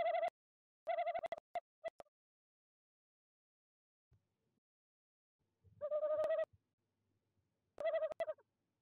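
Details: Evening tawny owl at a nest box in De Mortel during the breeding season, January: several brief wavering hoots in clusters, a pause, then two more pulsing notes, with scattered knocks and clicks around them.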